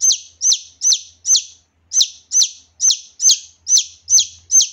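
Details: Wild junglefowl chick, known locally as kasintu, giving loud, clear cheeps used to lure adult junglefowl; piercing downslurred peeps come in a steady series of roughly two per second, with one short gap early on.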